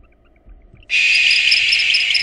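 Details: After faint soft peeps, a sudden loud rasping screech fills the rest of the moment, from barn owls at a nest where a father attacks and expels a female intruder threatening his nestlings.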